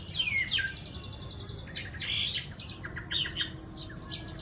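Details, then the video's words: Tame Chinese hwamei song with mixed whistled slurs and harsh, buzzy rattling bursts, delivered in short varied phrases over a quiet background hiss. "Mi thuần DV6969 NÉT HOẠ ĐẸP GIỌNG CA HAY"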